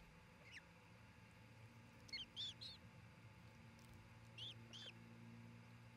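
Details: At a nest near Charlo, Montana, a nesting osprey pair is caught by a fixed camera in the early afternoon of 27 June 2018: two short bursts of thin, high chirps, three or four notes each, set against a constant low hum.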